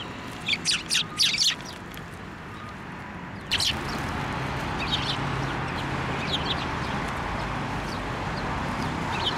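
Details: Sparrows flying onto a hand for food at a shrine on 9 December 2023, giving bursts of sharp high chirps early on, then scattered faint chirps over steady low background rumble.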